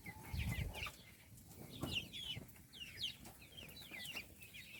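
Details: Little chicks at feeding time giving a steady stream of short, high, downward-sliding peeps, several overlapping, with soft low rumbling and scuffling underneath.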